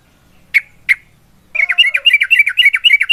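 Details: Yellow-vented bulbul in fighting mode: two sharp, isolated chips, then a fast, steady chatter of bubbly notes repeated about four times a second.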